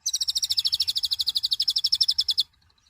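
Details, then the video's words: High, loud trill from a mouse-colored sunbird, a small nectar-eating bird: about thirty identical buzzy notes repeated rapidly and evenly for roughly two and a half seconds, then stopping abruptly. "Kicauan suara burung Kolibri Ninja(konin) gacor"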